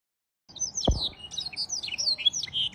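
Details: Canary filled with blackstrut song, heard fairly softly: a jumble of high twittering and slurred whistled notes after a short silence, with one dull knock.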